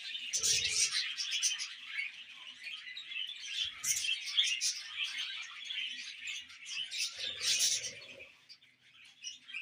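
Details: Baby budgerigar, a tame pet bird, chattering indoors in a continuous stream of rapid, scratchy chirps and warbles, with short low thumps near the start and near the end.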